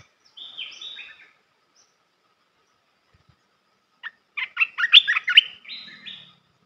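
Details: Red-whiskered bulbul song used to tutor young birds: a brief slurred chattering phrase, a pause of nearly three seconds, then a busier run of quick warbled, bubbling notes ending in a short fading trill.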